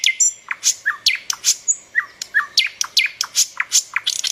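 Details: Birds chirping: a lively, irregular string of sharp downslurred chips and short high twitters, about two to three notes per second, with occasional brief rising flourishes over a quiet background.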